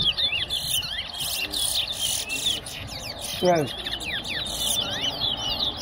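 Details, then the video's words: Towa towa whistling match at Tuschen bird ground in West Essequibo: quick high twittering whistles with sharp downslurs, broken by loud clicks and bursts of noise, a voice counting, and applause nearby. "WESSEQUIBO TOWA TOWA BIRD WHISTLING COMPETITION AT TUSCHEN BIRD GROUND"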